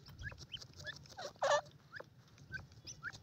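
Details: ['Female black francolin with her chicks: thin, high, rising peeps repeated through the clip, plus one louder rough burst at the midpoint, over a low background rumble.']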